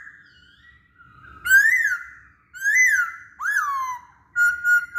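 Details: Singing masked laughingthrush, recorded to lure other birds: soft, drawn-out whistles lead into loud, arched whistled notes that rise and fall, with separate phrases spaced about a second apart and a short, level final note.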